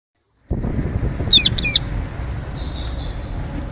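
A parrot gives two quick, harsh, high-pitched notes, followed by a faint thin whistle, over a steady low rumbling background.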